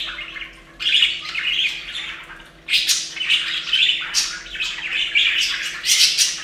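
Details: A group of budgies at a bathing fountain keeps up loud, continuous chattering: raspy chirps, squeaks and harsh squawks in long overlapping bursts. A faint low hum sits behind them.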